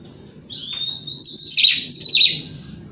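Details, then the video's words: An Oriental magpie-robin singing in the morning to draw answers from rivals: one long drawn whistle followed by a dense, harsh, jumbled warble, loud and sustained, against a faint steady high hum. "Pancingan Kacer Gacor Pagi Hari Bikin Lawan AUTO NYAUT!!! Ikut Emosi"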